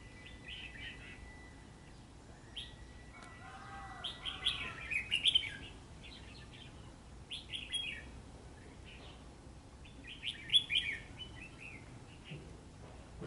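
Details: Red-whiskered bulbul calling while fighting a trap bird on a cold rainy day: bursts of bright, chirpy, slurred whistled phrases come in clusters around the fourth-to-sixth, seventh-to-eighth and tenth-to-eleventh seconds, over a low background hiss.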